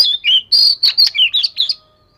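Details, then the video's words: Daily voice-training song of a fish-scale Oriental magpie-robin: a dense, loud rush of whistled and slurred notes lasting about two seconds, then quiet. "Chòe Than Vẩy Cá Hót Giọng Siêu Hay-Luyện Giọng Chòe Than Hót Hay Mỗi Ngày-Suara Burung Kacer Gacor"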